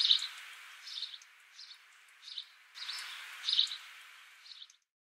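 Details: House sparrow in Australia, 26 December 2015; scattered high chirps in loose bursts, with a stretch of broadband hiss midway and fading to silence at the end.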